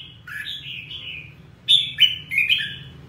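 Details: Red-whiskered bulbul song: a smooth warbled whistle rising and falling, then after a brief pause three loud, sharp, ringing whistled notes in quick succession, over a faint low hum.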